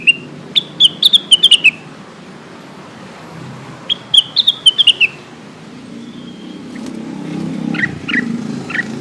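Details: Lesser green leafbird lure call for summoning companions: two quick phrases of high, clear whistles sliding downward, followed by quieter scattered notes against rising background rumble.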